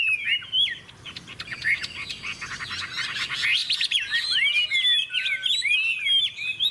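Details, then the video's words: A hwamei delivering fighting song (hót đấu), bright golden bird, big tail, playing its wings; clear whistled slurs open, then a dense buzzy chatter, then loud looping whistled phrases repeated quickly. "Họa mi hót đấu"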